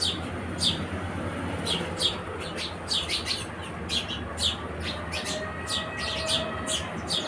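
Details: Lively house sparrow chirps, short sharp notes in quick irregular bursts, a faint thin tone from another source in the background, low hum throughout.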